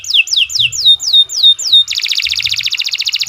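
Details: Canary (Kenari Nusantara) giving a long masteran song: seven clear whistles sliding downward in steady sequence, followed by a dense fast buzzing trill.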